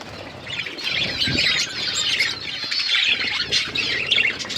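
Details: Outdoor aviary budgerigars chattering together in a steady stream of overlapping warbles and chirps, with low fluttering wingbeats and rustling beneath.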